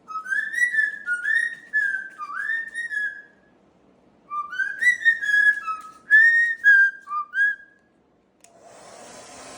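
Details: A pet sulphur-crested cockatoo, blow-dried indoors so dust comes off its feathers, whistles in bouncing pulsed phrases, two runs split by a pause, before the dryer starts again.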